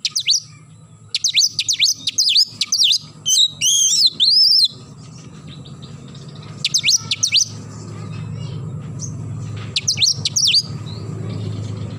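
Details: Oriental magpie-robin in full morning song: fast strings of sharp, high down-slurred whistles, rich warbled phrases with looping notes, and later short bursts of rapid strokes over a steady low background hum.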